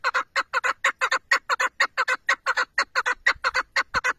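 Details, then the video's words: Hunting chukar partridge calling in loud, evenly spaced throaty 'chuk-chuk' notes, often paired, repeating rapidly without pause through the whole stretch. "keklik sesi,av kekliği,chakour birds sound"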